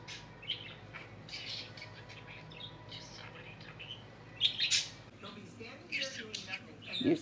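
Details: Caged male budgerigar, very vocal this week and more interested in his female companion as spring nears, makes scattered bright chirps and scratchy chatter, loudest near the end, over low room hum and faint human talk.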